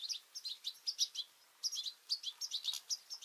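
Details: European goldfinches, including juveniles, jostling and fighting at a two-port garden feeder in the morning; dense, rapid liquid twittering chirps in quick runs with brief pauses between bursts.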